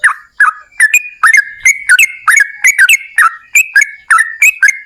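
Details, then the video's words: Yellow-vented bulbul singing a long ropel panjang run, used to prompt other bulbuls to sing: a quick string of paired, bubbly whistles that rise and fall, evenly paced. "TRUCUKAN GACOR Ropel Panjang"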